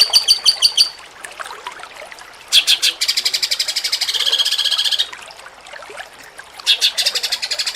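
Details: Jengking munting song of a cucak cungkok for contest training: short bursts of high staccato notes, then a longer dense buzzing trill, then another burst after a pause.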